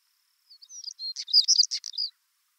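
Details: Male Siberian stonechat, a small bird unafraid and flying close, with a female nearby: one short scratchy warbled phrase of high, tightly packed chirps lasting about a second and a half, opening with thin whistles and ending abruptly, background silent.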